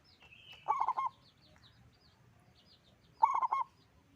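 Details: Zebra dove of a local type with a big voice gives two phrases of fast, rolling low coos, about two and a half seconds apart, over soft background chirping from other birds.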